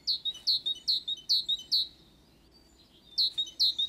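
A great tit sings high, bright two-part notes, about two to three per second, in a run of five, then a pause and a fresh run.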